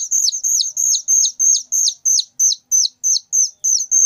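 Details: Young whistling thrush, very loud, repeating shrill high notes with a falling tail about three times per second in an even, insistent rhythm, nothing else audible.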